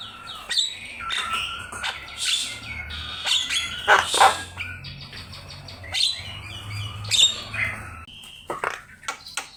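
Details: Javan myna (jalak kebo) singing vigorously on a master recording meant for teaching other birds: a rapid medley of sharp clicks, harsh rasps, whistled slurs and a short buzzy rattle, with quieter pauses between bursts and a faint low hum beneath.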